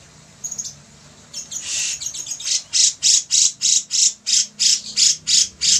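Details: Bearded bulbul in full vigorous song, recorded as a tutor for training birds: a few scattered notes, then a quickening run settling into steady, evenly spaced harsh bursts at roughly three per second.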